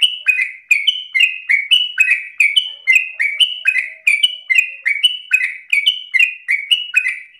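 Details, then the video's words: Chatty sooty-headed bulbul in continuous 'ropel' song, meant as a master lure recording: clear whistled notes tumbling downward in quick pairs, high then low, running without pause for over seven seconds. "Trucukan gacor narung ropel ngotot paling Bagus untuk pancingan masteran"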